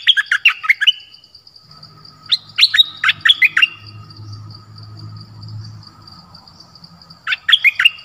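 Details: Dok taeng bird used as a decoy, calling for a mate in a forest on 13 January 2021: three bursts of quick, sharp, squeaky chirps separated by pauses, with a constant high hum and low rumble.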